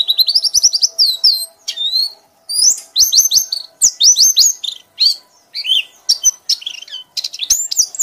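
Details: High, loud white-eye ngekek singing: clusters of rapid whistled and buzzy notes with brief pauses between bursts, some phrases sliding downward, over a faint steady hum.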